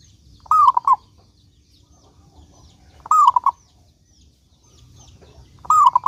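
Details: Zebra dove song used as a lure to prompt other doves to sing, with a rolling trilled coo phrase recurring roughly every two and a half seconds.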